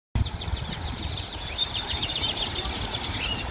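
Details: A large crowd of grackles on poles, trees and the ground of a parking lot in Cypress, Texas, gives dense, overlapping squeaky chirps and creaky whistles in steady chatter over a low traffic-like rumble.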